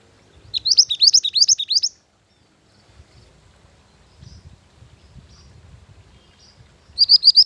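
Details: Mantenan gunung bird song used as a lure and master song for training, a burst of quick rising whistled notes high in pitch, repeated rapidly for about a second and a half, then near silence with faint low rumbling before the phrase returns.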